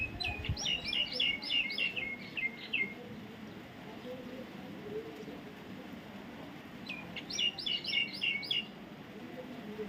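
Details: Baby parrot giving two quick bursts of shrill, harsh, harmonic calls, each a run of about six to eight notes repeated several times a second, separated by a pause of about four seconds, over a steady low rumbling background.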